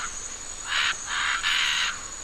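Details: Three loud, harsh, rasping squawks, each under half a second, from a macaw in Costa Rica signalling its presence to others while feeding on nuts, over a thin steady high insect hum.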